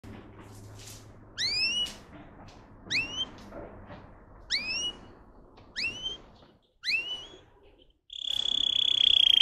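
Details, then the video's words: Russian singing canary, a bird bred for song of 10-15 high variations: separate high rising slurred notes about every one and a half seconds, ending in a steady, loud sustained whistle. "Red trees Canary Singing"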